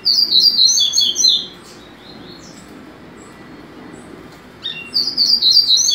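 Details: Captive-bred double-collared seedeater singing: a fast, high, twittering phrase of sharp, varied notes lasting about a second and a half, then a quiet pause before the next rapid burst starts; low room hum underneath.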